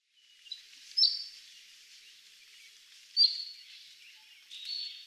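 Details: Cinnamon-chested bee-eaters, wild, in highland forest of Aberdare National Park, Kenya: short high thin chirps and trills, three bright bursts spaced about two seconds apart over a faint continuous high hiss.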